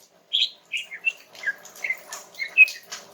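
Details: Female greater green leafbird singing calmly to prompt a young male to answer; a run of about eight short clear whistled notes, each slurring down, spaced roughly every third of a second.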